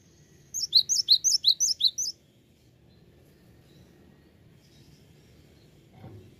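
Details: Cinereous tit singing: a quick run of about nine sharp, high, paired whistled notes lasting over a second, then near silence with a faint low background hum.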